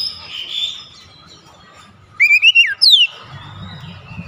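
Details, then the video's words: Oriental magpie-robin lure song for a non-singing bird: after a quiet stretch, a brief loud burst of a few whistled notes and a high descending slur, with low background rumble. "PANCING KACER MALAS BUNYI"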